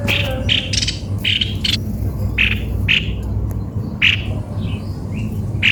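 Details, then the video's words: Odd-sounding cucak kopi-kopi calls: brief, harsh squawking notes in quick pairs and singles, about one every second, with steady low mechanical hum underneath. "ternyata begini suara burung Cucak kopi - kopi"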